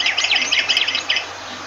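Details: Myna giving a fast chatter of harsh, scratchy squawks, closely packed and wavering in pitch, fading out toward the end.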